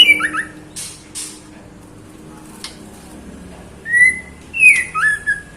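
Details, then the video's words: Female white-rumped shama calling for a male, kept as a cage bird: a few clicks and ticks, then a pair of clear, sliding whistled phrases near the end. "Murai Batu Betina Gacor Memanggil Jantan"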